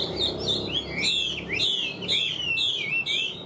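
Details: Loud song from a big-bodied caged Chinese hwamei: bright whistled notes sliding downward, delivered in a quick series of about six similar phrases, with a soft low murmur underneath.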